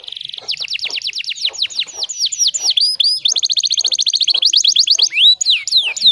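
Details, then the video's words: Canary long training song used to coax silent canaries back into full song; rapid series of downward-sweeping whistled notes, then fast buzzy trills and more descending slurs, all high-pitched and continuous. "MASTERAN KENARI GACORR PANJANG"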